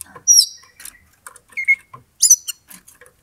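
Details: Oriental magpie-robin provoking a rival toward a fight, giving a few short high squeaky whistles and thin chirps with scattered faint clicks, in brief broken notes.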